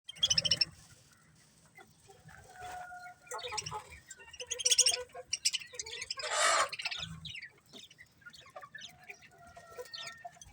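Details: Several colourful budgerigars chirping together: busy high warbling chatter, sharp squawks and short whistled notes, with a loud harsh burst mid-way and a soft low background hum.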